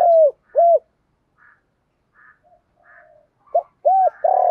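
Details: Spotted dove calling as a lure for wild doves: two loud, low, arched coos, a quiet stretch with faint soft notes, then a further run of deep coos ending in a sustained note.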